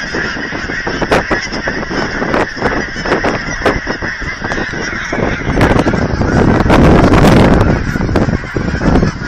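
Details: At an aquatic center in Hereford, Texas, thousands of geese honk loudly while being fed. Repeated nasal honks come about two or three per second, and wind and rumbling noise swell in the second half.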